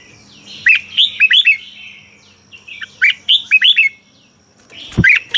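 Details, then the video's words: Singing Red-whiskered bulbul, a Thai caged songbird, its song used to excite other birds: two rollicking phrases of several warbled notes, then a loud knock followed by a brief chirp. "เสียงนกกรงหัวจุก สำหรับต่อ หรือ เปิดให้นกคึก เสียงเพราะๆ"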